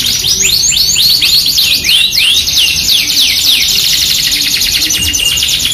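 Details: Persistent Yorkshire canary song used as a lure for other canaries: a burst of arched, downward-sliding whistles gives way to a fast, even rolling trill that continues to the end.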